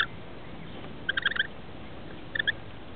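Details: Rainbow lorikeet chicks, two nestlings aged 21 and 17 days, in a nest inside a house roof as the parents arrive to feed them; two short bursts of rapid, harsh chirps, the second briefer, over steady low hiss.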